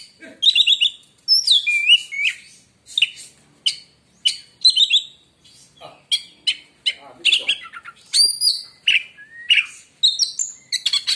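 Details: Oriental magpie-robin delivering a varied song said to quiet other magpie-robins: quick succession of whistled phrases, rising and falling slurs mixed with harsh chattering notes, nearly continuous.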